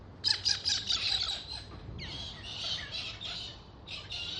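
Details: Galahs in Australia calling: rapid series of grating, screechy squawks at the start, then further harsh rasping calls in loose bursts, outdoors.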